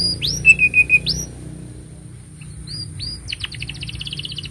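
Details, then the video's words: Canary heard in a master song for young birds: a few rising whistles and a short run of pure repeated notes, a pause, then a fast ringing trill. "Kenari Gacor Panjang Ini Bagus Untuk Masteran Kenari Paud Dan Pancingan Kenari Bisu"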